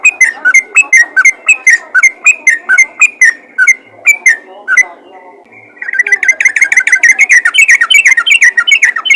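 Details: Calling yellow-vented bulbul summoning others of its kind: a string of lively chirped notes, a short pause, then a denser, faster burst of overlapping bubbly chirps.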